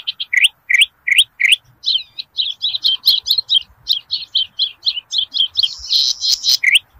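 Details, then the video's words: A Zitting cisticola in rice fields gives four sharp, rising high notes about three a second, then a quicker run of thin, chipping notes; the recording is used as a lure call. "PANCINGAN BURUNG CITRUK/CICI PADI GACOR"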